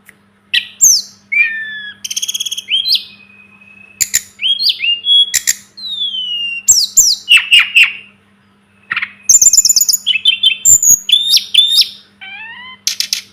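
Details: Varied song of a Sunda robin, called tledekan or sulingan gunung, recorded as masteran tutoring material. Bursts of chips and slurred whistles alternate with short pauses and long thin held tones, with rapid repeated notes near the end.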